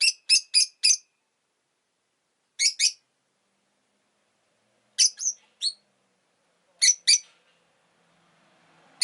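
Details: Chattering Rosy-faced lovebird: a rapid set of four grating chirps, then pairs and short clusters of similar high chirps after pauses, with faint rising background noise near the end.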